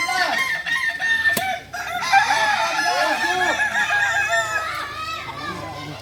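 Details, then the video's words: Solok's native singing chicken, the Kukuak Balenggek, training for crowing performance, delivering a dense, sustained crow of many wavering harmonic notes with little pause over six seconds. "Latihan prestasi Ayam kukuak balenggek ayam penyanyi asli Solok"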